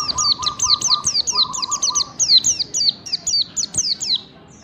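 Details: Training song of a pleci (white-eye) in the 'ngalas bukpar' style for caged birds: dense, fast high whistles falling in pitch, with a low buzzy trill in the first half, then tapering off.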